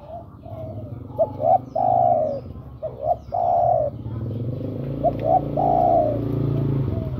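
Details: Spotted dove calling to a female, used as a lure for birds: the phrase of two short clipped notes and a long, smooth coo is repeated twice over a low background drone.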